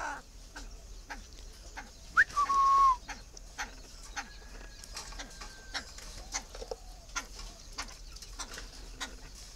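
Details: Tame captive Chinese francolin giving one short call, a quick rising note followed by a brief level whistle, set against steady ticking and tapping noises throughout.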